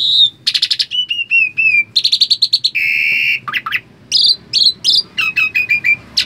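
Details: A talkative Asian pied starling, unwilling to bathe, chatters nonstop, mixing clear descending whistles, harsh buzzy bursts and quick clicking runs in a busy, varied stream.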